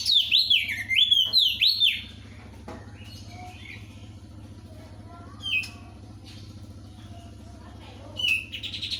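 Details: Crested white-eye in loud song: two seconds of quick, looping whistled notes sweeping up and down, then mostly a low hum with a few short chirps and clicks later on.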